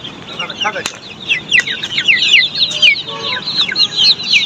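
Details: Australorp chicks on a poultry farm, many peeping together in a dense chorus of short, high, downslurred cheeps, overlapping rapidly with no pauses; a brief tonal hum and a faint click are heard midway.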